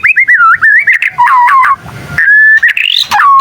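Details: Young white-rumped shama learning its song: a run of loud rolling whistled notes wavering up and down, then a long steady whistle and a rising sweep, with a short noisy rasp in the middle.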